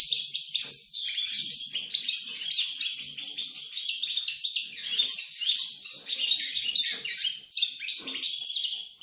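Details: Nine seconds of unbroken European goldfinch song, recorded on 28 November 2020: fast, tinkling twitters mixed with buzzy rasps and liquid trills, with the volume swelling and dipping slightly throughout.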